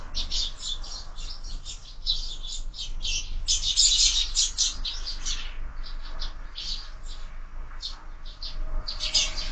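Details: Fighting sparrows at a window-mounted feeder with year-round feeding; rapid, irregular harsh chirps, close to four per second, with a louder clustered burst near the middle and a faint low hum beneath.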